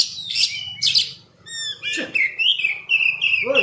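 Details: Oriental magpie-robin song played as a lure to provoke a fast reply from other magpie-robins: two sharp bursts, a pause, then clear ringing whistled notes and a sustained warbling phrase, with a low hum throughout.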